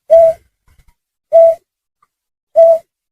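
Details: Snipe call for luring on a hunt: three strong, even, hoot-like notes about 1.2 seconds apart, with faint low knocks after the first.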